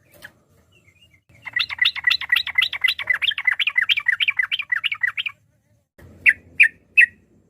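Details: Sooty-headed bulbul in lively, varied song aimed at stirring rivals to answer. A four-second run of evenly spaced chattering notes is followed by silence. Then come three separate loud sharp notes.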